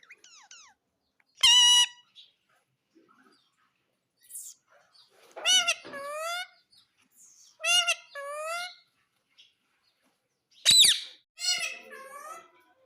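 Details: Pet Indian ringneck parakeet said to speak the words mummy and papa; about six bursts of harmonic, nasal voice-like phrases, several sliding downward, some in quick pairs, separated by short silences.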